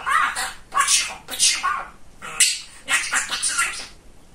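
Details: Indoor pet budgerigar, a chatty young male, producing rapid raspy imitated words in clipped bursts, quieter toward the end after four seconds.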